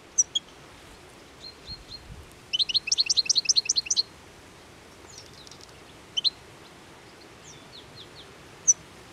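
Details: Hungry European goldfinches in winter, feeding eagerly on plane tree seeds by the Anapodaris river on 17 January 2021; high, tinkling twitters come in a dense burst of rapid notes midway, with scattered single chirps before and after.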